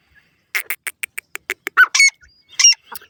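A francolin gives a quick run of about ten dry, clicking notes, then breaks into loud, harsh squawks with shrill tonal edges.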